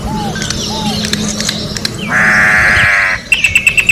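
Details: Orange-backed troupial singing in the wild: soft arching whistles, then a long harsh buzzy note, followed by a rapid string of sharp repeated clicks, over a low drone.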